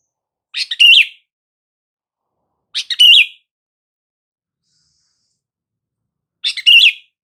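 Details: Call of a sooty-headed bulbul played to get silent bulbuls to answer: three brisk, bright chirping phrases with a short lead-in note, spaced about two to three seconds apart against complete silence.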